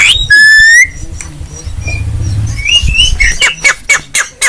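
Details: Starling masteran tutoring song, the type most sought after now: a loud, steady, flat whistle with overtones, then a low rumbling background, scattered thin rising whistles and a closing run of sharp, evenly spaced clicks.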